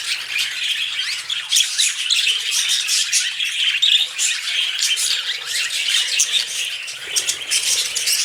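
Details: Male budgerigars flirting as pets, a noisy run of harsh squawks, rattling clicks and high warbled chirps, sharp loud notes standing out every second or so over continuous chatter, faint low hum underneath.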